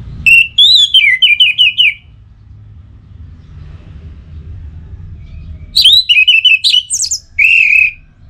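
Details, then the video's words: Lure song of an orange-headed thrush for stimulating birds to sing: two bursts of rapid whistled phrases, repeated wavering notes, separated by a few seconds of quiet low rumble. "Memacu Burung ANIS MERAH dengan Suara Pacingan Agar Selalu Berkicau Pagi Siang Malam TIdur"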